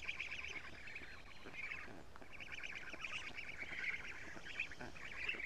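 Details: Black stork family on an Estonian nest camera, 14 June 2017 morning, female arriving with lots of lampreys for the young. Choppy raspy chattering in bursts, with a drop near two seconds before resuming more strongly.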